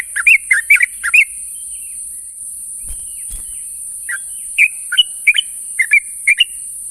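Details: Morning calls of a sooty-headed bulbul summoning companions, with bright slurred chirps in quick runs, a pause with soft faint notes in the middle, then another scattered series of clear bubbly phrases; constant high background hiss.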